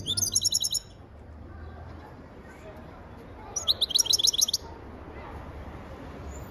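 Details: European goldfinch song in two rapid, tinkling twittered bursts of high notes, the first brief at the start, the second longer midway, separated by quiet with steady low background hum.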